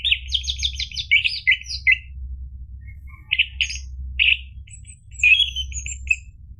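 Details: Energetic orange-headed thrush song played to spur caged birds to sing: a quick series of rising, slurred notes, then varied chirps and short whistled phrases separated by brief pauses, over a faint low background hum.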